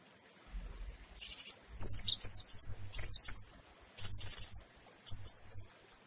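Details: Java sparrow, wingko variety, singing its varied jueh song in the rain: rapid, dense high twitters and chirps mixed with short rising whistles in several bursts, with background rain hiss.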